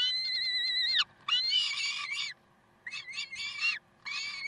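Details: Karlsruhe peregrine falcons, recorded 30 May 2010 at 7:27, giving a long drawn wail, then rougher, broken, grating notes in bursts, some overlapping, with brief silent gaps.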